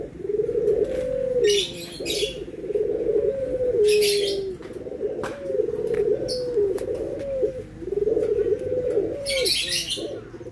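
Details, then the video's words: Anggungan cooing of Barbary doves, white and brown birds compared: a steady run of low rolling coos, each phrase ending in a slightly falling note, about one every two seconds, with bursts of sharp high chirping above. "PERBEDAAN SUARA ANGGUNGAN BURUNG PUTER PUTIH DENGAN PUTER COKLAT"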